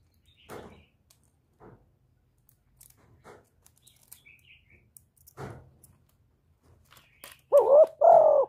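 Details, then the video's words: A spotted dove gives a "thổ" type cooing call: two loud, mellow coos at the end, each with a slight rise and fall, after a few dry taps and rustles. "tiếng cu gáy giọng thổ thúc và gáy gọi"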